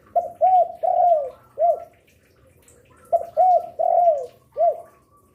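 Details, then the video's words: Active spotted dove singing to lure other doves; two identical cooing phrases about three seconds apart, each four soft coos with a long rolling third note, faint twittering behind. "Derkuku gacor rajin bunyi siang sore malam cocok untuk pancingan"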